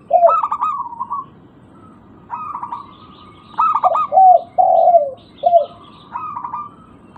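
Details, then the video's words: Zebra dove, local type, used as a lure: clipped, purring stutters alternate with longer falling coos across several phrases separated by short silences. "Pancingan burung perkutut lokal"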